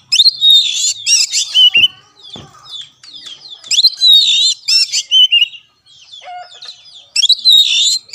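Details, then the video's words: Oriental magpie-robin (kacer) tutor recording for a caged bird that will not sing: dense, harsh and whistled mixed phrases in loud bursts separated by short quiet gaps, with some rustling clicks. "WARNING !!! BUAT KACER MACET || SOLUSI MASTERAN MUJARAB"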